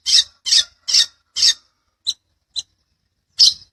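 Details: Long-tailed shrike (petet) master recording for teaching birds, 'gacoran ngeplong' style: four rapid rasping squawks, then two thin clipped ticks, ending with one more harsh note after a pause.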